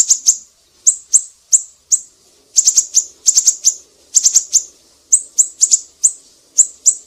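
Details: Black-naped Monarch singing vigorously for use as a songbird tutor: high, needle-thin chirps, first spaced singly, then in rapid clusters of three or four, with soft low background rumble.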